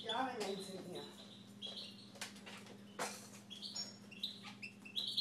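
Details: A person speaks briefly at the start, then a pet Siberian goldfinch continues with high, bright twittering notes and short whistles, accompanied by a low steady hum.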